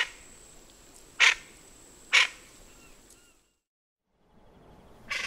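Harsh, raucous, caw-like notes from a Plain Chachalaca, spaced about a second apart, with faint thin whistles and a steady high hiss behind.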